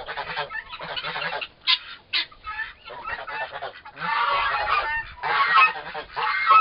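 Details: Two turkey toms around four months old fighting: quick harsh chatters, a pair of sharp clipped notes midway, then longer, louder raspy bursts toward the end.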